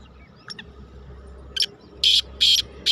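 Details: Black francolin recorded 31 May 2023 in the rainy season (Barsat), giving a few fainter squeaky notes then loud, harsh, grating notes about every half second over a low hum.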